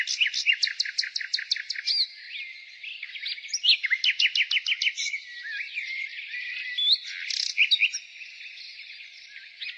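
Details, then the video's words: Nightingale singing in spring: opens with a run of about nine loud repeated notes, then shifts to fast twittering phrases and scattered whistles, with background birds chirping softly throughout. "Nightingale singing"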